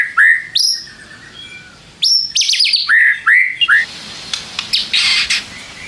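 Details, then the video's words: White-rumped shama singing to provoke rival shamas to respond, a clear whistled note followed by a string of loud upswept and curling whistles, then a hissing, scratchy burst of harsh notes in the second half. "pancing MURAI BATU malas bunyi/bahan paling GAMPANG direspon tanpa takut"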